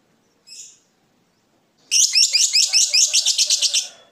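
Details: Lovebird of fighter type giving a ngekek song, meant to make rival birds sing too: one short chirp, a pause, then a rapid buzzy chattering trill of about fourteen high notes lasting two seconds.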